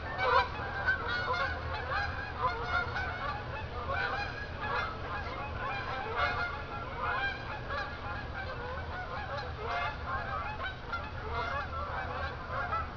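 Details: Night-flying geese returning from a field to Jourdan Lake at Lake Odessa, Michigan, giving a continuous stream of overlapping honks from many birds, loudest near the start, with a faint low rumble underneath.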